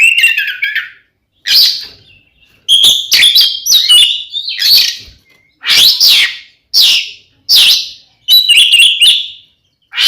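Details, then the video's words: Oriental magpie-robin delivering its fighting song, used to make other magpie-robins agitated; loud varied bursts of piercing whistles, harsh rasps and downslurred notes in phrases about a second long with brief silences between, clean and unaccompanied. "SUARA BURUNG kacer gacor NGEPLONG TARUNG ini paling AMPUH buat PANCINGAN KACER agar EMOSI"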